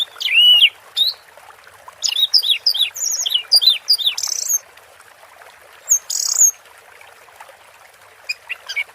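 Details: Orange-headed thrush in teler singing, set with water-therapy sounds: a ringing whistle, then a run of quick high twittering phrases, a pause, a brief sharp note pair and faint scattered chirps.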